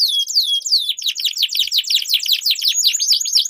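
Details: Canary song used as a lure to train competition birds and as a master recording: high whistled descending slurs give way to a fast rolling trill of repeated notes, with rising sweeps at the end.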